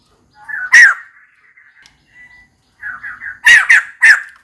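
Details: White-crested laughingthrush, a female calling for a mate: a sharp loud note with soft trailing chuckles, a pause, then a rising sequence of softer notes ending in three loud, strident calls.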